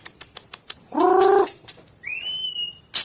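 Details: White-rumped shama of the Medan type singing: a run of sharp ticking clicks, then a brief harsh low buzzy note, and a long clear rising-then-level whistle ending in a sharp high chip.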